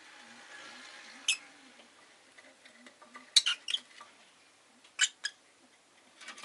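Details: Rosy-faced lovebird (Agapornis roseicollis) kept as a pet, giving sharp, sudden chirps, three main bursts spaced one to two seconds apart, with a few softer clicks between them over a quiet background.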